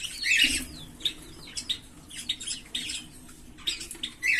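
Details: Green Fischer's lovebird pair giving high squeaky chirps and short slurred calls, spaced irregularly, with louder scratchy notes at the start and end.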